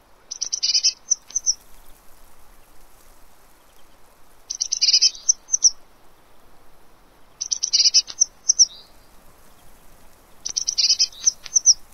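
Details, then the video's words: Blue tit calling at a fat ball feeder, Pellerey, 3 March 2017: a high, bright chittering phrase with a buzzy lower trail, repeated four times about every three seconds over a quiet background. "Mésange bleue"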